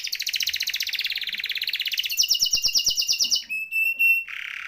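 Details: Canary in rolling song, used to prompt and tutor quiet canaries: a long even trill speeds into a faster trill, followed by a clear whistled tone and a short buzzy note.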